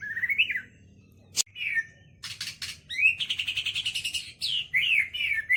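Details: White-rumped shama in song with kapas tembak and lovebird material: rising slurred whistles, a sharp click, scratchy bursts, then a long rapid chattering trill and bright twisting whistled phrases.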